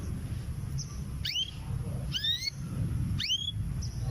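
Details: Female canary ready to breed, about six to seven months old, calling for a male: three rising, upward-sweeping whistled notes with bright overtones, spaced about a second apart, over a steady low rumble of background noise.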